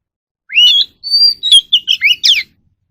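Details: Captive Oriental magpie-robin singing during voice training: loud, clear whistled phrases, some rising and some sliding down, with a sustained level whistle and then a quick run of short varied notes over about two seconds. The background is quiet.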